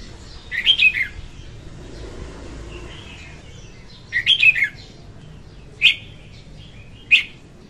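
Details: Female red-whiskered bulbul singing, played to lure wild birds for trapping: short bubbly warbled phrases and single sharp chirps, spaced by pauses of one to three seconds, with a faint murmur behind.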